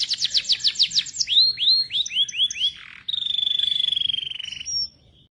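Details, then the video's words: Canary singing actively: a quick high trill, then five descending swooping whistles and a short pause, then a long, even, buzzy rolling trill lasting nearly two seconds before the song stops. "Kenari Gacor"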